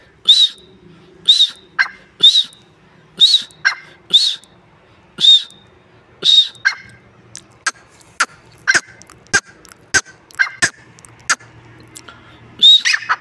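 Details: Partridge giving a series of loud, rasping arched calls roughly every second for the first half. After that come sharp, scattered clicks and short softer notes, with a low hum in the background.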